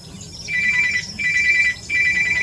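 A red-wattled lapwing gives three shrill, piercing bursts of rapid, ringing notes, each about half a second long, over a low background hum.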